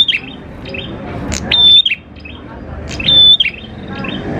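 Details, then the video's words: Prinia song meant to draw other prinias into singing: two high level whistles about 1.5 seconds apart, each with a short chirp after it, over faint rumbling background noise. "PANCINGAN PRENJAK KLAWU GACOR, NGALUN BIKIN PRENJAK CEPAT BUNYI"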